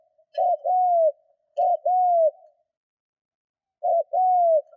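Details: Caged decoy spotted dove cooing to provoke wild doves: three phrases, each a short double note leading into a smooth falling coo, with faint light clicks near the first two.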